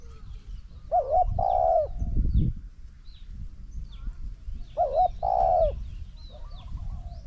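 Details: Spotted dove singing in a decoy trapping session against a wild bird. Two matching phrases about four seconds apart, each a quick double hiccup then a long mellow crooning coo. A soft distant coo is heard near the end, with a brief low thump.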